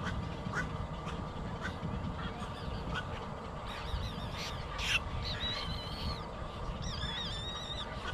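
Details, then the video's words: Baby bird crying to be fed, later falling asleep. Scattered short sharp chirps give way to longer, high, quavering whistles in the second half, heard over constant low hum and hiss. "Poor baby bird cries baby food until it falls asleep"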